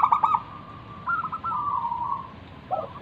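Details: Local zebra dove in full song, a lure to invite other doves to call. A stuttered burst opens, then a long rolling trill fades, ending with a lower two-part coo.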